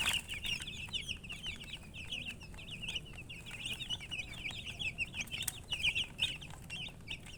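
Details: Flock of baby chicks chirping continuously, thin high peeps packed closely together in an almost unbroken chatter, fairly even in loudness throughout, with soft low-pitched background hum.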